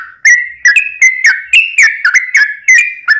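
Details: Yellow-vented bulbul, called trucukan locally, in a long lure song meant to provoke other bulbuls into singing: loud, clear whistled notes in short bubbly phrases, each slurring down then up, about three per second.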